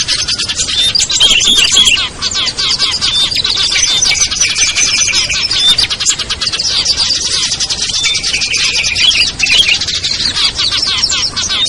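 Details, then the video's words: Lure recording of small songbirds including ciblek, kutilang, trucuk, sogon and perenjak, for attracting birds down; loud, crowded high-pitched chattering and buzzy trills without pause, a few whistled notes cutting through. "SUARA PIKAT BURUNG KECIL burcil AMPUH"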